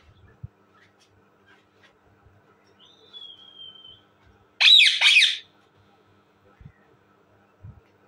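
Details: Indian ringneck parakeet, described as talking: a thin, steady, high whistle, then two loud, harsh, grating squawks back to back, with a few faint low knocks in a quiet room.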